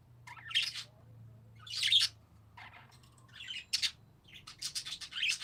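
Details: Parakeets chatter in a series of harsh, grating chirps. The bursts come in irregular clusters and become quicker toward the end, over a faint low hum.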